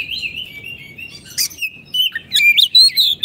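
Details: Oriental magpie-robin kept as a caged songbird for training: sweet whistled notes sliding up and down, then a burst of rapid, loud varied phrases with sharp clicks and chirps, roughly two notes per second.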